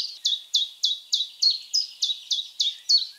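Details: A Common Chiffchaff delivers a rapid, regular chain of thin, high notes. Each one swoops downward, and they repeat roughly every third of a second.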